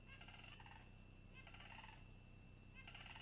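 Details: Long-eared owlet on a nest cam, 26 June 2020, waiting for a parent to bring a meal, gives a squeaky, wavering begging call about every one and a half seconds over a steady low hum.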